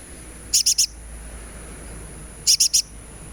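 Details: High, sharp sunbird chips in two tight groups of three, about two seconds apart, from a recording meant as therapy to make birds sing, over a soft low hum.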